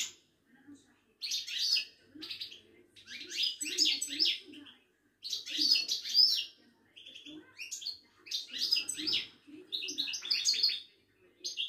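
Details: Caged Widani European goldfinch from Morocco, recorded at a Casablanca bird market. The clip holds lively, jangling twittering song in repeated phrases, with some metallic trills and brief gaps.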